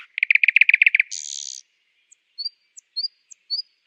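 A nightingale sings a fast burst of about eight repeated mid-pitched notes, then a harsh buzzy rattle, then a few thin high rising whistles.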